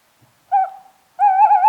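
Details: Tawny owl (Strix aluco) gives a short, clear hoot, a brief pause, then a longer quavering, wavering hoot; nothing else is heard.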